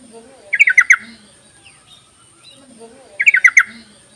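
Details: Yellow-vented bulbul call offered as a lure for birds reluctant to sing: two short bursts of four quick, bright, descending notes, separated by almost three seconds of quiet, with soft low chirps between.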